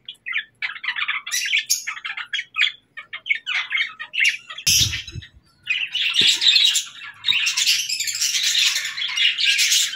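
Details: Budgerigars in the morning, short bright chirps and squawky warbles in quick bursts, then a longer stretch of dense, continuous chattering toward the end, with a soft thump partway through.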